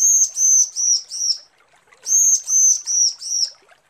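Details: Female bar-winged prinia calling a male, used for luring: two sets of four drawn-out, high, slightly falling whistled notes separated by a short silence.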